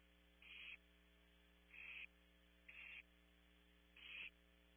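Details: Begging from hungry Barn Owl nestlings at Audubon Starr Ranch, California, where an owlet pulls its sibling's wing. Four breathy, screeching hisses about a second apart, over steady low electrical humming.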